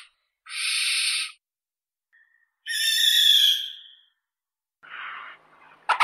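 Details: Hoarse, noisy screams of a barn owl, about one second each, three bursts spaced by silent gaps, the middle one slightly tonal and fading at its end.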